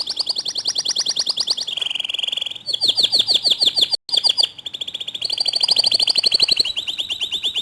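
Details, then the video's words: Canary singing to prompt other canaries to join in: fast rolling trills that switch between higher and lower pitches, with one very short break in the middle. "Masteran Kicau Kenari Untuk Memancing Kenari Lain Agar Ikut Gacor Dor"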